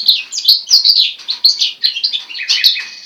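A goldfinch × linnet hybrid sings a fast, unbroken run of bright twitters and tinkling chirps, high-pitched and jumbled, with short trills woven through.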